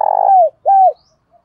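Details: Lure spotted dove, 'thổ' voice, calling to provoke rivals: a sustained low coo that bends downward, a brief pause, then a second arched coo, both deep and resonant.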